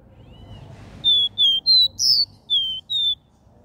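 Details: Capped seedeater in the 'Dó Ré Mi' regional three-note style: one phrase of six pure whistled notes, evenly spaced, with a higher accented note in the middle, against a faint background.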